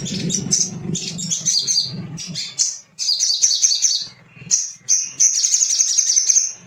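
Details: Excited male little spiderhunter, sung as a lure to stir caged birds: dense runs of piercing high chirps and trills, with a constant low electrical-sounding hum beneath.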